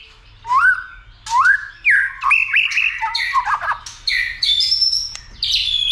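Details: White-rumped shama singing, roused for fighting and flicking its tail: rich varied whistled phrases, rising slurs and warbled notes, shifting pitch and rhythm from phrase to phrase over six seconds, with faint low background hum.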